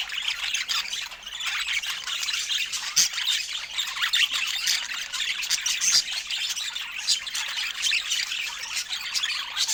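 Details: Pet budgerigars at fruit time chatter nonstop, a dense mix of raspy high squawks, warbles and quick chirps from several birds, with occasional sharper peaks rising above the flock.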